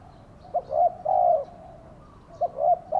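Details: Decoy spotted dove calling to attract wild birds: a short note, a quick second note and a long, smooth coo, then the phrase starting again.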